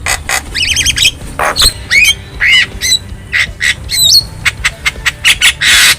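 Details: Javan myna from the wild, used as master song for captive birds: a loud sequence of rough squawks, quick trilled notes and bright upslurred whistles, delivered in short bursts.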